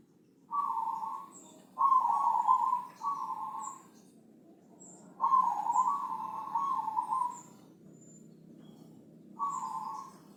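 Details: Javanese zebra dove, Senin Mataram line, singing thick-voiced ngepat song as a master recording for other birds: five rough, trilled cooing phrases of varying length. Faint, thin high chirps from other birds sound between them.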